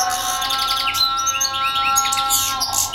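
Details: Short burst of European goldfinch song: quick liquid twitters and rising chirps crowded together, sounding bright and tinkling, over a steady hum of low tones.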